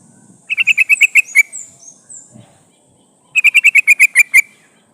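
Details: A female sooty-headed bulbul calls for a male, recorded as a lure for wild bulbuls. Two bursts of about eight rapid, bright chattering notes, with a faint thin whistle in the gap.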